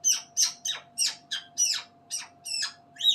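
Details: A pet female African grey parrot mimics its owner calling chipmunks and squirrels: a rapid run of about ten sharp, high, squeaky kissing notes, three each second, over a steady faint hum.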